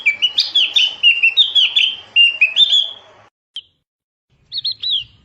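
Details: Javan grey-throated white-eye pouring out a rapid warbling twitter of high chirps for about three seconds, followed after a pause by a single note and a short stuttered whistle.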